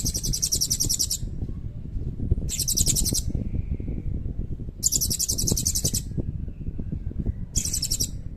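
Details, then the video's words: Serindit, the blue-crowned hanging parrot, in energetic song with a long 'cililin' filler used as a tutor for shamas and magpie-robins: four shrill, fast-pulsed trills of about a second each, spaced roughly two seconds apart, against steady low rumble. "Burung Serindit Gacor Nembak Isian Cililin Panjang"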